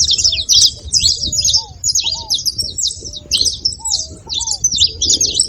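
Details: Saffron finch calling noisily, with rapid clusters of high, crackly chirps repeated about every half second and gentle low whistled slurs between them over steady background hum.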